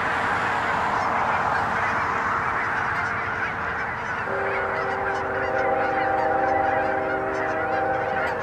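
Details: Canada geese massed by the thousands on a Kansas pond in Hutchinson, January 25, 2011; an unbroken wall of layered honking, with a clearer stacked honk standing out in the latter half over the flock's din.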